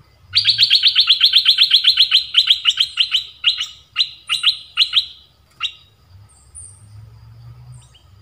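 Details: Red-whiskered bulbul kept as a trapping decoy, singing to attract wild birds after finishing its molt. A rapid run of about twenty bright, chirpy notes slows into spaced single notes, then fades to quiet with a low background hum.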